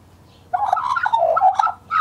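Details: Young male Australian magpie, scruffy juvenile in 2014, giving a burbling warble: a dense run of gurgling, wavering notes after a short silence, with a clear whistle starting at the end.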